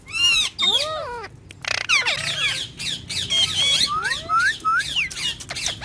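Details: Tame green ringneck talking parrot produces varied, speech-like squawky phrases, arching and sliding up and down, nearly continuous for about six seconds.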